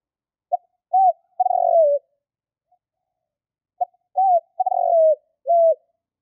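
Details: Two phrases of a spotted dove call used to lure wild birds. Each is a clipped note, an arched coo, a rolling descending croo, and a final flat coo, in a quiet setting.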